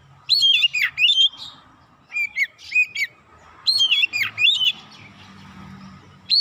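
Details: Magpie-robin lure song played to make other magpie-robins quickly agitated and unload their repertoire: bold, varied whistled phrases with sharp downward swoops, given in bursts broken by short gaps, over a faint low hum.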